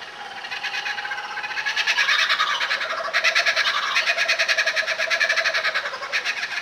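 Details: A kookaburra laughs from a veranda while snow falls, answering another kookaburra in nearby trees: rapid, harsh chuckling notes swelling into loud, raucous cackling, several pulses a second, then easing off slightly.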